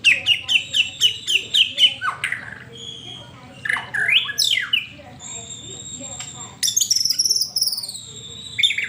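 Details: Song of a white-rumped shama used to prompt pet birds into singing. A rapid series of about ten repeated rising whistled notes, then slurred phrases and high sustained tones.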